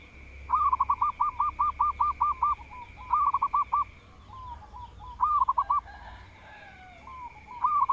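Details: Zebra dove of local stock that sings freely and draws rivals to answer, opening with a long even string of about ten clipped coos. Shorter pulsed phrases and soft slurred notes follow, and a steady high whine fades partway through.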